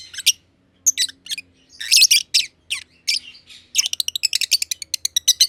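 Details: Two aviary lovebirds, green personata and pied personata, chirping for a long time. Raspy notes come in uneven groups, then a fast even train of clipped chirps, over a faint low background hum.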